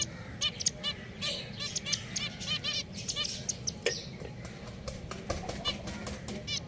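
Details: Pet finches call constantly, with crisp harmonic toots repeated several times a second by many birds at once against a faint low hum.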